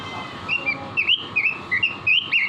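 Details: Robin singing vigorously (gacor), from a song-training recording (masteran) for caged birds: bright whistled notes, each quickly slurred up or down, about three or four per second, over a steady low hum.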